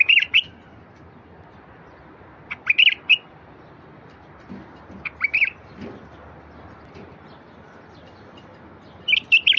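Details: Bulbul singing meant to stir silent wild bulbuls: brief bubbly phrases of two or three notes recur at irregular gaps of about two to four seconds, with a few faint low knocks in between.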